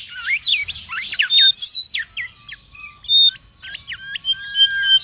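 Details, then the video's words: Wild mangrove whistler, noisy song used as lure and tutor: a tangle of slurred whistles, then spaced short clear notes and brief whistled phrases with gaps between them. "SUARA PIKAT DAN MASTERAN BURUNG KANCILAN BAKAU RIBUT DI ALAM LIAR"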